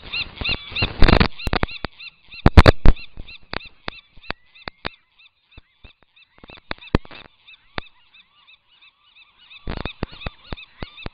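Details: A Rhinoceros auklet chick on Año Nuevo Island, still downy and flapping its wings outside its burrow before fledging in 2013, gives a steady stream of thin, high, rising peeps, several each second, over loud knocks and thumps.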